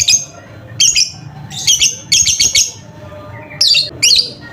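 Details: Lovebird chattering, used to prompt a silent lovebird to sing: a quick run of shrill, buzzy, high chirps, some doubled or tripled in fast bursts, then two separate sharp squeaks.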